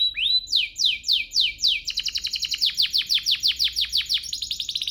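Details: Lure song of a canary meant to trigger singing in other canaries: an upslurred whistle opens, then evenly spaced falling chirps that speed into a long, steady rapid series of sharp notes.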